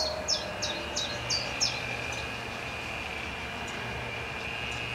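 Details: Restless common chiffchaff alternating preening and singing in a black locust by a pond at the Fûgelhelling: five high, sharp, downslurred notes at an even, quick pace, then quiet with a steady hum and faint background noise.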